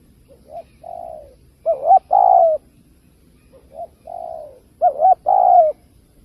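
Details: Spotted dove luring call used by trappers. There are two full phrases. Each starts with faint short coos and a softer held note, then builds to a loud doubled coo and a long, downward-sliding final coo.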